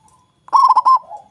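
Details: One bubbly phrase from a loud local zebra dove, a steady singer meant to provoke rivals into calling: four or five rapid, rounded cooing notes run together, then a soft trailing coo.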